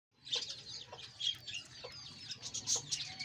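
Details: Budgerigars kept in a breeding colony, giving soft scattered chirps and short warbled notes, high and quick, rather faint and irregular, with a low hum underneath.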